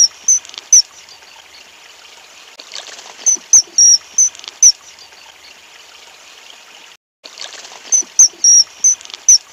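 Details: Common kingfisher feeding its young gives short, shrill high whistles, singly and in quick clusters of three or four, over a steady rushing hiss of running water.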